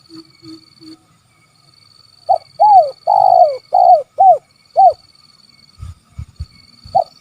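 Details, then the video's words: Spotted dove giving the call style known locally as kuk 3: after three soft low coos, a loud run of arched, mellow coos with one drawn-out note in the middle, then another coo near the end. "Suara Panggilan Tekukur Kuk 3"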